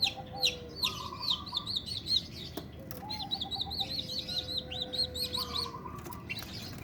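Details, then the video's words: Long-tailed shrike in breeding condition, singing with rasping notes: rapid runs of high, hooked, chattering notes in two main bursts, broken by brief harsh clicks. Steady whistled tones and a low background hum sit beneath. "Burung Cendet Birahi POLLL...bunyi sambil mengkorok!!"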